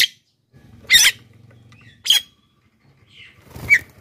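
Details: Javan myna, lure recording for wild birds and master audio for captive birds; three harsh, broadband squawks about a second apart, one ending in a short whistled twist, over a soft low rumble.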